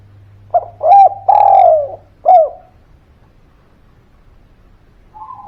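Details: Spotted dove, an actively calling bird used as a lure to make quiet birds call back: a short rising note, then a two-part coo and a long, loud, slightly falling coo, ending with one clipped note over a steady low hum.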